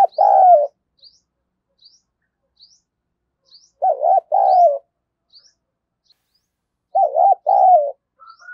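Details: Lively spotted dove decoy bird cooing in paired low phrases, a wavering note then a longer sliding one, repeated three times at roughly three-second gaps, while faint high ticks sound steadily behind.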